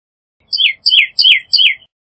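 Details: Pyrrhuloxia, Cardinalis sinuatus, repeating four rich downslurred whistled notes in a steady series, each sliding from high to lower pitch, roughly three per second, with no other sounds.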